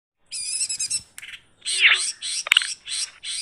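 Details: Long-tailed shrike (cowet, codet, pentet) recorded in 2022 as a master song for training songbirds: bursts of high, harsh, stacked chattering notes alternating with buzzy mid-pitched phrases, with two sharp clicks between them.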